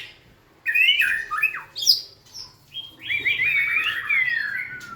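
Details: A white-rumped shama, dancing and tail-wagging, sings rich whistled notes: quick up-and-down slurs, then a sustained warbling phrase with rapid wavering notes that slowly descends.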